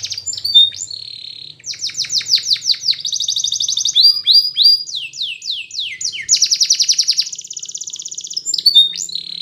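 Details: Spanish Timbrado canary singing a training song for a silent canary: varied bright phrases of rapid rising chirps, sweeping whistles and dense metallic trills follow one another without pause, over a faint low background hum.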